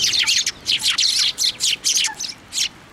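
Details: Busy chorus of sparrows gathered on a plum tree at a Tenmangu shrine, February 2024, with loud, rapid, overlapping high chirps almost continuous for two and a half seconds.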